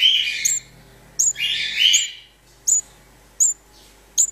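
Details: House sparrow chicks found on a building site, waiting for their mother: harsh, buzzy chirps in two longer bursts, plus short sharp high notes repeated about every second, in a quiet indoor space.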